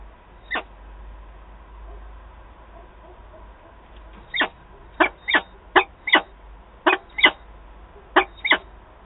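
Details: A meeting of peregrine falcons at the Wałbrzych nest, Poland, 8 August 2022: one lone rasping call, a pause, then a quickening run of about ten harsh, clipped notes, with a faint steady hum behind.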